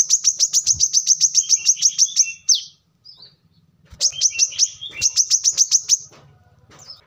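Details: Brown-throated sunbird (manggar, wiceh) singing hard, recorded as pancingan lure and masteran song tutor. Fast strings of thin, high ticking notes in three bursts separated by short silences, a low droning hum underneath.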